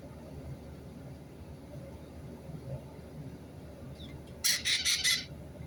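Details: White-bellied caique parrot, recorded on 31 March 2022, gives a burst of four loud, harsh, raspy screeches in quick succession after a stretch of steady background rumble and noise.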